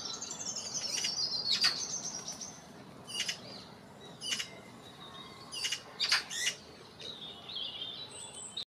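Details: Juvenile Eurasian magpie left begging by a parent that will not feed it, wings fluttering: irregular rasping, noisy calls in brief bursts, some doubled, with high thin bird notes and soft background noise.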